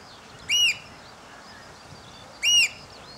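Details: After rain, hand-held recording from a hide on a Panasonic SDR-S26 of Eurasian oystercatchers piping: two loud, piercing, arched notes about two seconds apart against faint background noise.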